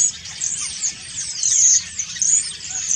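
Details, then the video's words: Common starlings giving autumn song while preening: dense, high chattering with squeaky whistles, slurred rising and falling notes and clicks, in bursts that swell and fade over three seconds. A faint low rumble sits underneath. "Stare. Herbstgesang und Putzen"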